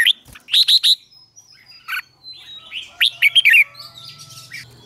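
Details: Bulbul morning training song, red-whiskered, with a few quick chirp clusters and slurred notes between quieter gaps, faint thin whistles and a low hum in the background.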